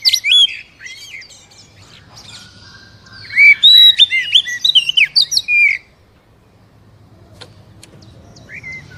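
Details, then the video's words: Captive Oriental magpie-robin singing to stimulate a reluctant caged bird: rich varied phrases of loud rising and falling whistles and harsh chirps for six seconds, then near silence with one late note. "SUARA PANCINGAN BURUNG KACER AGAR CEPAT BUNYI DAN GACOR"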